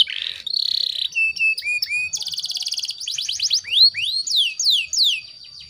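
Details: Female canary in breeding condition, singing to lure and stimulate males: a buzzy opening note, then clear whistled notes, rapid bright trills, and a run of quick rising-then-falling sweeps.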